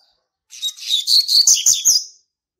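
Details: Territorial song of a young male Double-collared Seedeater born in March 2019: a loud, hurried string of high chirps and buzzy trills lasting under two seconds, with several sharp clicking accents in its second half.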